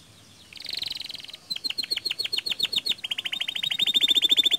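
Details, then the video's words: Canary in vigorous song, played to prompt other canaries to sing: a short buzzy phrase, then long runs of quick repeated sharp notes accelerating into a dense, bright trill. "Suara Kicauan Kenari Gacor"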